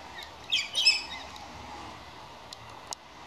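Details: Galah uttering a short grating screech early on, followed by steady hiss-like background noise and a couple of faint clicks.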